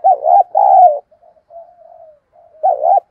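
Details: Spotted dove used as a decoy, cooing excitedly: a loud two-note coo, a stretch of soft low murmurs, then the next loud coo beginning.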